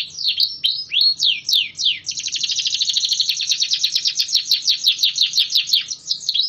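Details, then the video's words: AF canary kept caged and singing strongly after weekly open-air training sessions; opens with sweeping upslurred whistles, then breaks into a long fast rattling trill of high buzzy notes, roughly three per second, steady and unbroken. "Kenari Af gacor hingga 30 detik up"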